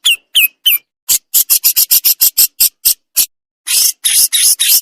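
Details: Javan crested jay giving full besetan song with pauses for training: three slurred whistled-rasp notes, then a fast regular run of short dry harsh chips, and finally longer broad hissing rasps.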